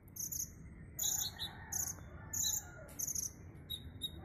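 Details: Caged kolibri ninja (Van Hasselt's sunbird), kept on a female setting in a colony system, singing in the 'ngerik' style during a competition from Brongkol village: high, sharp chirping bursts roughly every half second over a low hum and faint chatter.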